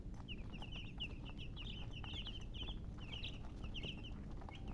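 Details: Chicks chirping in a busy flock: rapid, high, slightly downslurred peeps in bursts and runs, with steady low noise behind.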